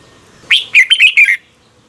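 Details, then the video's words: Red-whiskered bulbul singing in the morning, a recording meant as a lure voice for training other bulbuls: one short phrase of five bright, slurred whistled notes, rising then wavering, over a quiet background. "Luyện chào mào hót sáng"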